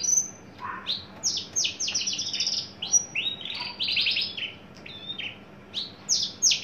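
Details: Caged adult male Javan bush lark, tame and entering breeding condition, pouring out a varied high song of sharp descending whistles, fast rattling trills and short chirps.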